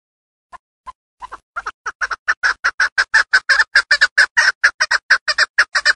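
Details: Female Chukar partridge kept for hunting, from Darvoz district in Tajikistan, starting with a few spaced clucks that quickly build into a fast, steady run of harsh chuk notes, about two per second and then faster.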